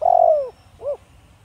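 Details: Spotted dove, Thổ Đồng voice type used for luring wild doves; a long buzzy croo sliding gently downward, followed after a short gap by one short rounded coo.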